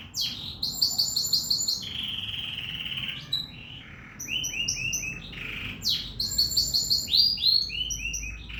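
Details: Canary singing vigorously: fast trilled rolls of repeated high notes, a sustained whistled tone, then clusters of short bright notes and downward slurs, alternating in quick bursts with brief pauses.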